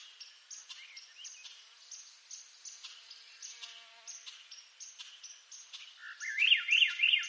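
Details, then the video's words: Swainson's thrush, eastern North America. A faint early fragment is followed near the end by a loud, rising, flute-like phrase of looping up-and-down notes. Throughout, a regular background of brief, high chirps ticks along about three per second. "Swainson's Thrush Bird Sound"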